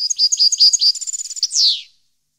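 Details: Goldfinch singing, 2015, Parva: liquid twittering notes give way to a fast, even trill, then a loud buzzy descending note closes the phrase.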